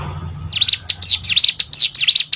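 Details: Song of a hill prinia, known locally as cigun or prenjak gunung, recorded as tutor audio for competition birds: after a brief quiet hum, a rapid burst of piercing high chirps, each dipping and climbing in pitch, follows in quick succession.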